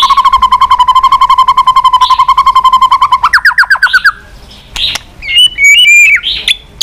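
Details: White-rumped shama, continuous chatter for rousing a bird's song and tail-flicking: a fast, steady run of pulsed notes for three seconds, a rising run of quick slurs, then a few loud whistled notes.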